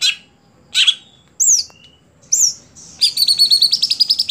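A greater green leafbird sings a varied phrase: harsh buzzy bursts, clear high downslurred whistles, then a rapid run of bright repeated notes.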